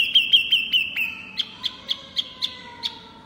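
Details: Pygmy cupwing in loud song: a handful of quick high chirps over a thin sustained whistle, followed by evenly spaced single sharp notes roughly every quarter second.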